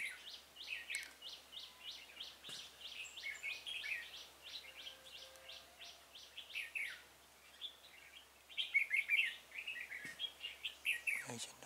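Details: Red-whiskered bulbul working as a trapping decoy to attract wild bulbuls, 26 February 2018; a long series of sharp, evenly repeated chirps about two per second, then richer warbled phrases and a few clicks near the end.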